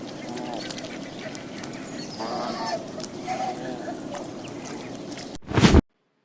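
A swan gives a few nasal, trumpeting honks, spaced unevenly over several seconds, against a low background murmur, ending in a brief loud burst.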